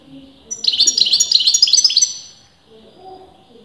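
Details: Caged European goldfinch that breeders disagree about as male or female, delivering about one and a half seconds of dense, quick, high twittering trills, followed by faint low murmuring.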